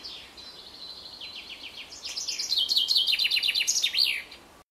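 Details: A common chaffinch in Samara on 11 May 2019 sings a bright, high rattle of notes that speeds up and drops in pitch, ending in a quick flourish.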